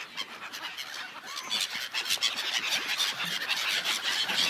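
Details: Gathered seagulls on an ice lake call in a dense, harsh chorus, rapid overlapping squawks building gradually louder across the stretch.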